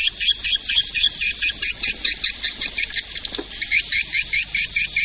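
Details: Edible-nest swiftlet calling sound used to attract swiftlets: rapid, high-pitched chirps repeated more than twice a second in an uneven, pulsing rhythm, each note short and buzzy, continuing throughout.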